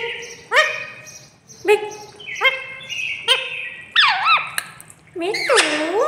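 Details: Caged pet parrot chattering with its owner: separate nasal, harmonic word-like bursts about once a second, ending in a looping, warbling phrase with wavering pitch, in a quiet room.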